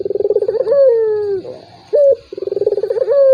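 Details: Lure recording of a turtle dove meant to stir a reluctant rival. A pulsing rolled trill swells into a falling drawn coo, followed by a clipped high note and another roll.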